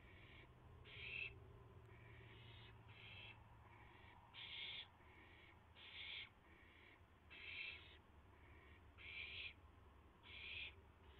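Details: Owls at their nest at 3:38 AM on April 7, 2016, with a rabbit brought in and shared; a long series of about a dozen short rasping hisses, alternating louder and softer, over a low steady hum.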